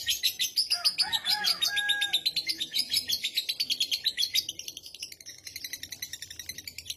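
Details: Lovebird giving extended ngekek chatter that prompts other lovebirds to follow: loud rapid shrill pulses with brief lower whistled squeaks near the start, fading into softer, denser chattering toward the close.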